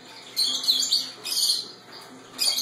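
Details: A 4½-year-old male Timneh African grey parrot that acts like a dog gives three harsh, raspy bark-like bursts, imitating a dog, spaced about a second apart.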